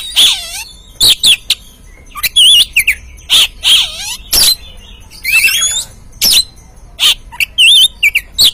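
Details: Oriental magpie-robin song played as a lure to set off an untrained caged bird: loud, varied phrases about once a second, mixing clear whistles, wavering notes and quick twitters.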